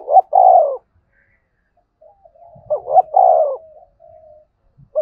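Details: Spotted dove calling in the 'thúc' and 'gọi' styles, played to lure wild doves into answering. A long coo opens, followed by a full phrase of two rising notes and a sustained coo, with soft low murmurs and faint knocks.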